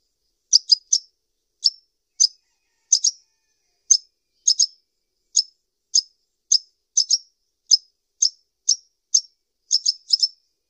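A sunbird gives thin, high, sharp chips, singly or in quick pairs and triplets, at an uneven pace of about two a second, against a silent background.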